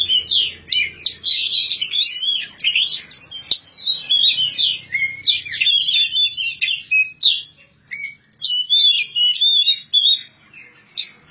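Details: Magpie-robin kept in care in a village, delivering a fast, varied song of high whistles, sharp chirps and rising and falling sweeps, with a pause near the end before a few more bright phrases.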